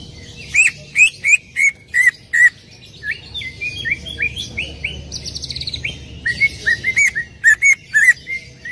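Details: Lure song of a greater green leafbird, meant to get another leafbird singing: varied whistled chirps and upward-slurred notes delivered in irregular bursts, some sharp and loud, others softer and quicker, with a quiet background.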